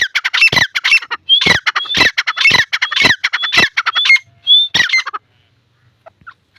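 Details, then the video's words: Grey francolin chicks giving harsh, raspy squawks in quick bursts, about two a second, mixed with thin high whistled notes, then falling quiet. "Dakni titar chicks|dakni titar sound"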